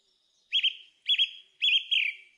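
Song thrush repeating a clear, fluty double-noted phrase three times, about every half second, with the last phrase drawn out a little longer; no other sounds.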